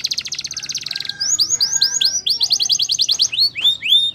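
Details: Canary trilling: a fast buzzy roll of tightly repeated notes, then a run of downward-curving whistles that grows faster and ends in a few louder sweeping notes.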